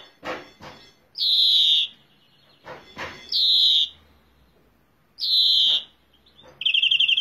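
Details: Three separate wheezy, slightly descending buzzes from a European greenfinch, each preceded by dull knocks or taps, and a quick trill breaking in at the very end.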